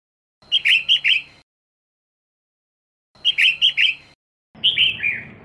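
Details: Female red-whiskered bulbul, caged, making a sound used to stimulate males to sing: two bursts of four quick bright chirped notes each, then a slurred falling warble, with silent gaps between.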